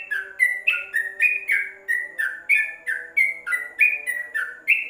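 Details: A yellow-vented bulbul in a cloth-covered cage sings fast, cheerful, bubbly phrases, each note slurring down then jumping higher, about three per second, recorded as a master song for teaching birds; faint steady hum underneath.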